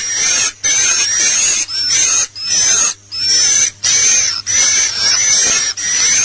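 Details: Swiftlet call-lure recording: dense, high, buzzy twittering in bursts of about a second, broken by brief pauses, with a thin steady whistle running above.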